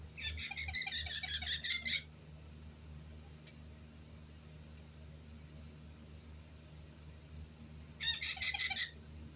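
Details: White-bellied caique calling in two bursts: a rapid series of harsh, chattering high notes for about two seconds, a pause, then a shorter burst of the same near the end; low steady background hum.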